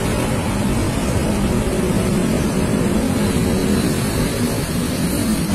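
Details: Only a loud, steady, engine-like rumble and hiss is heard throughout, with no animal sound.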